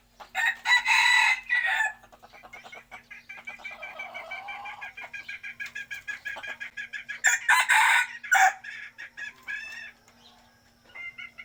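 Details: Chickens calling: a loud raucous crow opens, followed by a long run of quick, evenly pulsed clucks, then more loud harsh squawking bursts near the end, with a steady low hum beneath.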